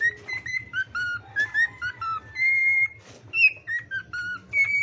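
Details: A singing bird gives clear whistled notes in short slurred phrases that rise and fall, some held steady, separated by brief pauses, over a steady low pulsing hum.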